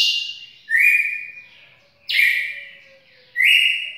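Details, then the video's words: A red-cowled cardinal, its song type called trovão, sings three loud, bright phrases, each starting with a sharp high note and sliding into a long even whistle that fades, spaced about one and a half seconds apart. "Galo campina trovão"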